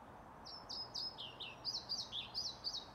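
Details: European pied flycatcher singing at Lindgården retirement home in Sundsvall on 15 May 2019, in full song: a fast run of high, clear whistled notes sliding down, then bright trilled phrases, about four notes a second with soft background hum.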